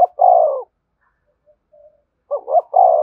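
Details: Cooing spotted dove used as a lure so wild doves answer and fly in: a long, low, downward-sliding coo, a gap of silence, then a clipped two-note stutter leading into another drawn-out coo.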